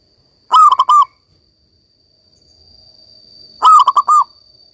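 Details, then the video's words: Perkutut lokal, a local zebra dove in full song, used to prompt silent doves to sing again: two short bursts of rolling, clipped coos about three seconds apart, with a faint steady hum behind. "perkutut lokal gacor ini cocok buat terapi perkutut kalian yang lagi macet bunyi agar kembali gacor"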